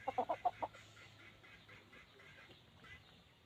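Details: Red junglefowl giving a rapid burst of five clucks in under a second, then quieter, fainter clucks trailing off over a low steady hum.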